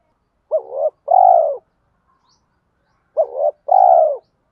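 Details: Spotted dove kept as a lure bird, 'giọng thổ sấm' voice style, giving fight-provoking calls; two deep coo phrases, each a quick bent note followed by a longer steady coo, separated by a silent gap of about two seconds.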